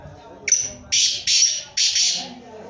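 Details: Black francolin in Sindh, Pakistan: a short harsh note, then three longer loud, grating, rasping bursts in quick succession, all within about three seconds.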